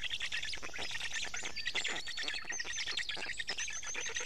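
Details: Black stork nestlings in Estonia clamouring for fish from a parent at dawn, 29 May 2018; continuous rasping begging pulses overlaid by clear high whistled songs of other birds.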